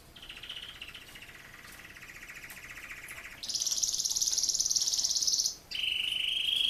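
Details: Quieter recording of a singing male Raza Española canary: a soft lower buzzy roll, then a loud high sustained trill, a brief break, and a mid-pitched rolling trill, with faint background hiss.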